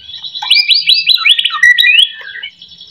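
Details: Lure recording of white-rumped shama song meant to get other shamas singing: a quick series of bright looping whistled notes sweeping up and down, each about a tenth of a second, fading into a thin sustained high tone.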